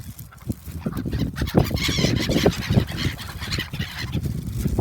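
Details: A crowd of gulls gathering as they are fed at a port park in Shin-Okayama, Japan, 3 February 2021. Rapid, harsh cries overlap constantly, with a low rumbling background.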